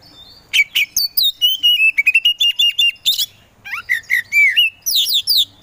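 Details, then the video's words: A kacer poci Oriental magpie-robin sings energetically to provoke other birds: high downswept whistles, a rapid train of clipped repeated notes, a harsh burst, then rising and fluty slurred whistles. "KACER POCI GACOR SANG PROVOKATOR"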